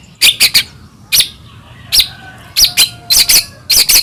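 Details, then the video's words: White-rumped shama (murai batu), Medan type, in full lively song used as a lure to provoke other shamas into singing: short bursts of sharp, high chirping notes in clusters of two to three, separated by brief pauses. "murai batu gacor AMPUH buat PANCINGAN murai batu agar bunyi jadikan burung murai gacor NYAUT"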